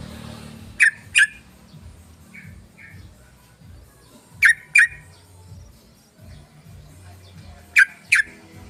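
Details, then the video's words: Sooty-headed bulbul lure call for drawing in other bulbuls: three widely spaced pairs of sharp, loud chip notes, each pair about a third of a second apart, with fainter notes between and a low background hum. "PANCINGAN SUARA BURUNG TRUCUKAN"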